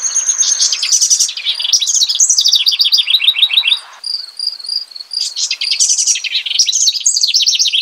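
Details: Rich, bubbly house wren (Troglodytes aedon) song: rapid rattling trills and descending runs of notes in loud bursts, with a pause near the middle where only a steady line of high, repeated chirps is heard.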